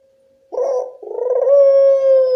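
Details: Local Barbary dove giving a lure call meant to draw answers from other doves: a single low phrase of a rolling, vibrating coo that flows into a long, steady hooting tone, after half a second of faint hum.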